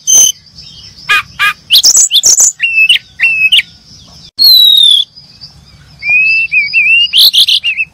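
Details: Brown-chested jungle flycatcher birds chirping, with sharp ticks, paired hooked whistles, a long thin falling whistle and a wavering level note, closing in a cluster of buzzy chirps.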